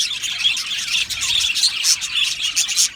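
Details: Several budgerigars in an aviary colony chirp rapidly, squeaky high notes tumbling over each other in a continuous, busy warble.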